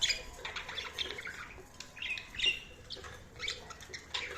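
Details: Budgerigars chirping: a continuous jumble of quick high warbles, squeaks and chatter from several birds at once, with a few wing flutters and no pauses.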